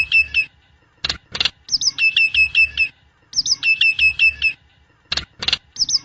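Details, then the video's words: Nias hill myna singing, suited to tutoring birds or trapping lures: phrases of rapid, ringing whistles that hook downward alternate with short loud rasps, repeating about every three seconds. "Kicau Burung Jalak Nias"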